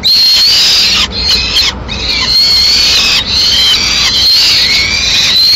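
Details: Peregrine falcon nest in Madrid, Spain, recorded 21 May 2016, as the female brings a piece of pigeon to feed two chicks; loud, continuous high whining squeals with downward-curving notes, broken by brief gaps.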